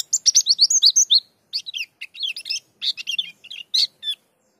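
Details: Gacor pleci dakun white-eye: an opening string of rapid, evenly paced high chirps, then looser groups of sharp twittering notes separated by short pauses.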